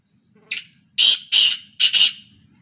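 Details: Kala teetar or black francolin, one of three birds calling non-stop, giving its rasping phrase: a brief lead-in note, then two broad scratchy bursts and a closing doubled rasp, loud against a quiet background.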